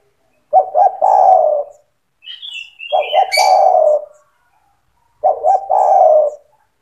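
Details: Vigorously singing spotted dove, recorded for training young doves: three low cooing phrases, each two quick notes and a drawn-out descending coo, about two seconds apart. A higher chirping bird is heard between them.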